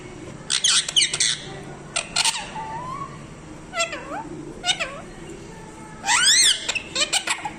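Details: Parrot alternating rasping squawk bursts with bent, wavering whistles that dip and rise, a tight stack of rising-falling notes near the end, over a faint low hum.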